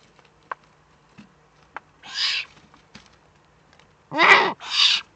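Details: Eurasian eagle-owl, Eifel, 3 May 2014: a few soft ticks, then one long airy hiss and a pair of loud back-to-back hisses near the end.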